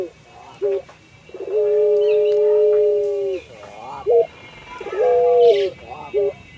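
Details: Puter pelung dove singing actively while nodding: short sharp coos and rolling warbles surround one long, flat, sustained hoot of nearly two seconds, with a later shorter note that bends upward.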